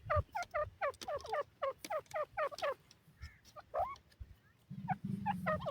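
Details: Partridge, known as teetar or Irani teetar: a steady run of short, clucking, chuck-like notes, about three per second, each bending downward, with a low hum and faint rustling underneath.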